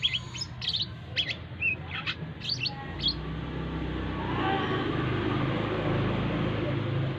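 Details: Kept brown-throated sunbird (kolibri kelapa) being accustomed to crowds at a busy roadside with people passing: bursts of sharp high chirps and twitters over the first three seconds, then steady low traffic rumble takes over.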